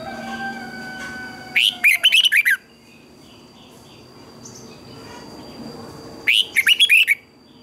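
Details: Red-whiskered bulbul giving its morning training song: two energetic phrases of rapid twisted double notes, each about a second long and five seconds apart, with steady faint electronic tones in the background.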